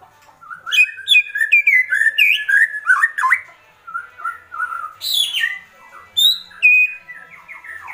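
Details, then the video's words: Agitated white-rumped shama giving a kretekan sequence: a rapid string of clear whistled notes stepping up and down, mixed with sharp clicks and a few high, buzzy rising phrases. "Kretekan Murai Batu Emosi"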